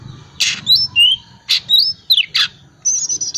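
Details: Ngriwik-style Oriental magpie-robin, calm type, used to prompt silent birds to sing: three rough scratchy bursts alternating with short sliding whistles, ending in a high wavering whistle, with faint low background hum.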